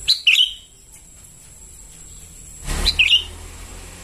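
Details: Young sooty-headed bulbuls calling, used as a lure: two bursts of bright, downslurred chirps, one at the start and one near the end, separated by quiet, with a steady high whine throughout.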